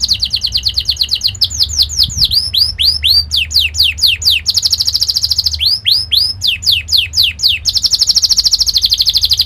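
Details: Sharp, fast canary song used as training for young canaries: rolling trills of rapid repeated notes alternating with series of bright downward-swept whistles, continuous and loud.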